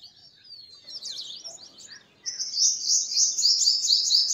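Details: Purple sunbird singing: a jumbled, high twittering phrase, then a sustained, very fast, high-pitched trill of ringing notes, about four per second, lasting two seconds.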